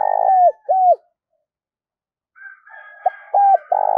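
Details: Decoy spotted dove cooing on cue: two hollow arched coos after a buzzy opening, a long pause, then fainter chatter and another pair of mellow coos ending in a rough drawn-out note.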